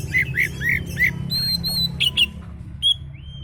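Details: Oriental magpie-robin song used to lure other birds: four rich slurred whistles repeated about every third of a second, then high pure whistles and sharp notes over a steady low hum.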